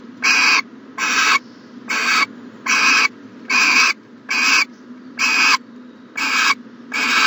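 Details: Morning at an owl nest box, 14 January 2020: loud rasping hisses, each roughly half a second, repeated about every 0.7 seconds, nine bursts in all over faint background hum.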